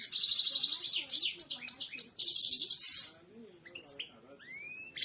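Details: Royal goldfinch song meant to be replayed to birds to teach them: a dense, loud run of buzzy, tinkling trills with clear whistled notes, a short quiet gap, then rising whistled slurs and a final buzzy note.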